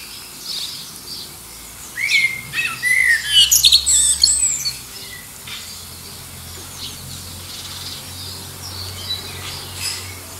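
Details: Common blackbird singing to find a mate, answering rival birds in the distance, near Liverpool airport's flight path; one mellow fluted phrase rises into a dense, shrill twittering burst, followed by faint distant notes.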